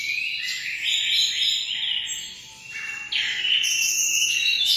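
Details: Emprit, a munia, giving rapid high-pitched chirping song, about four notes a second. A brief quieter dip midway gives way to brighter, shriller twitters.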